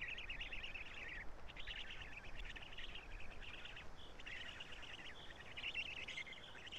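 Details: Black stork chicks in a nest at Karula, 3 June 2017 around 11:35, fed by the adult male after the female flies off; rough, buzzy calls in dense repeated bursts, one short pause, steady background hiss.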